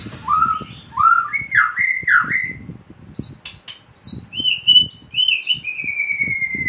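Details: White-rumped shama singing like a samyong, with varied clear whistles: rising slurred notes and looping phrases, then high sharp notes and long descending whistles, with soft low knocks and rustles beneath.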